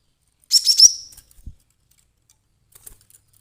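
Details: Cinereous tit, known locally as glatik batu, giving an agitated call used as a lure for trapping: one quick burst of three or four sharp, very high chirps in under a second, then near silence with faint clicks.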